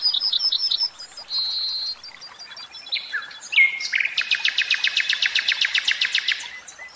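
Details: Song of a caged common nightingale: quick repeated high notes, a steady buzzy tone, slurred falling whistles, then a long even series of rapid hard strokes repeated many times per second.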